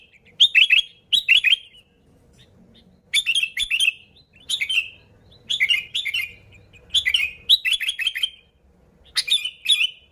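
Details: Lure recording of a lively sooty-headed bulbul singing to draw in other bulbuls: short chirpy phrases of two to four bubbling, dropping notes, repeated about every second over ten seconds, with faint low background rumble.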